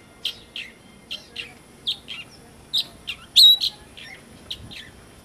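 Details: Galapagos mockingbird on Rubida Island, Galapagos, giving short, high, scratchy chirps in pairs, about two a second, with one louder squeaky note near the middle.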